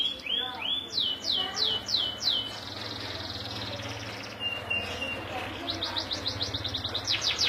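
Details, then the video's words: Local canary in full song: a series of sharp, downward-sweeping whistled notes about twice a second, a long high sustained buzz, then quickening high trills, with a low steady hum behind. "suara burung KENARI lokal gacor"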